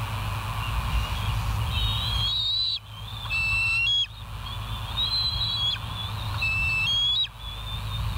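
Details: Bald eagles on a live nest cam at West End, 8 August 2023 at 07:30; high, thin whistled chirps in quick rising and falling strings, several bursts across eight seconds over a steady low hum.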